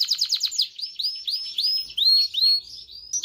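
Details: Excited canary song to stimulate mating: a quick trill gives way to a series of rising, upslurred whistles repeated about three times a second.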